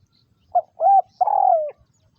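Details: Domestic decoy spotted dove used for trapping wild doves, delivering a three-part cooing phrase: a brief note, a fuller arched coo, then a sustained descending coo, otherwise quiet.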